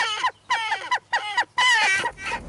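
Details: Western jackdaws in the UK in spring give harsh, nasal, squawking calls in rapid bursts. Adults and young are fighting an intruding jackdaw at the nest, which has a wool-lined cup, until it is pushed out.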